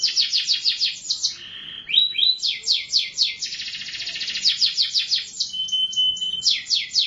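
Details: Bright canary song with fast repeated chirps, a short pause, then long rolling trills and sweeping note series, a thin steady whistle threading through the later part.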